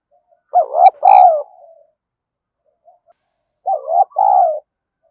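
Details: A decoy spotted dove calls to goad rivals into fighting. It gives two deep cooing phrases, each a quick pair of throaty notes followed by a longer held coo and a fading tail.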